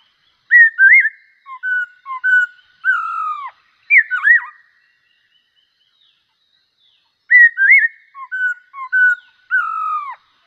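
A bulbul sings short phrases of clear, liquid whistles, some slurring down. It sings a phrase of about three and a half seconds, pauses, then sings again. The background is quiet.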